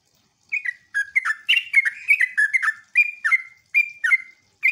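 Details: Sooty-headed bulbul lure song, meant to prompt other bulbuls to answer, in ngeropel and ngecruk styles: half a second of quiet, then quick bubbly slurred notes tumbling in uneven bursts.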